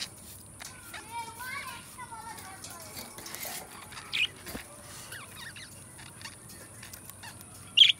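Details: Pet budgerigars singing and talking: a soft chattering warble with rising and falling whistled notes and a few scratchy bursts, fairly quiet against a steady hiss.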